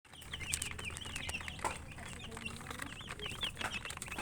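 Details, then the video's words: Chicken chicks chirping while eating: a busy stream of short, high, bright peeps, many sliding or arching in pitch, overlapping from several birds, with light tapping and rustling underneath. "Murgi chicks Chirping sounds and eating"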